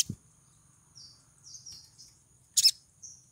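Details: Female crimson sunbird in breeding condition calling to attract a male gives brief, thin, very high twitters, then a loud double chip near the end, followed by a soft high note.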